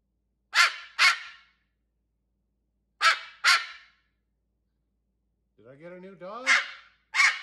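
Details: Pet cockatoo imitating a dog repeats harsh, noisy double barks about every two and a half seconds, with a person's voice briefly heard between the last pairs.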